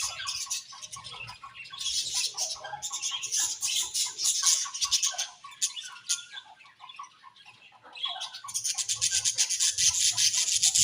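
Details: A flock of budgerigars chirps and warbles continuously; a quieter dip midway gives way to a fast, rhythmic run of rapid ticking chirps toward the end.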